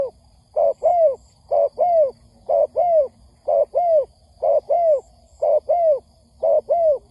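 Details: Lure recording of a spotted dove for trapping: very regular double coos, a clipped note followed by a fuller falling one, repeating roughly every second throughout.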